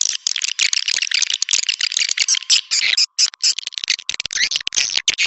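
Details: Swiftlet lure sound for New Year 2023: a dense, continuous rattling twitter of rapid high clicks and buzzy chirps, nearly unbroken, with one brief pause midway.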